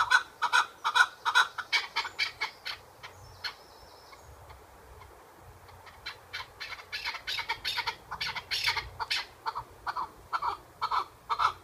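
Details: Chukar partridge in captivity utters rapid clucking chuck notes, breaks off into a quieter pause with faint background sounds, then resumes a loud, hurried series of harsh repeated notes.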